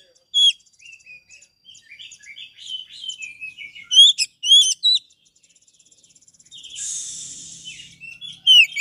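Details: Oriental magpie-robin master song intended as a lure for silent birds. Sharp whistle, then soft warbled and scratchy phrases, loud ringing slurred notes, and a harsh hissing buzz before a final bright whistle.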